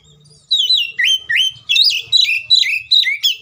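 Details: Fighting-style song of an Oriental magpie-robin that is played to provoke rivals into singing: a persistent run of loud, rich whistled phrases, each sliding down and then up, repeated about every third of a second.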